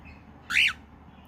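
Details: A female pet cockatiel gives a single harsh, rasping squawk that rises then falls while playing with the camera, perched on her favourite hangout, the owner's foot.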